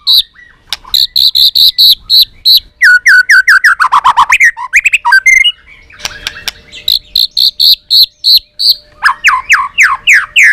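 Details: White-rumped shama giving a competition fighting song of rapidly repeated high chip notes in long series, descending trills, and later a run of steeply rising whistles, all loud and insistent.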